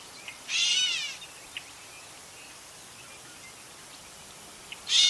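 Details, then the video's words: Gray catbird giving a drawn-out, nasal, cat-like mew that slurs downward, followed by two faint clicks and the start of a second mew at the very end; quiet background otherwise. "Catbird Meowing and Singing"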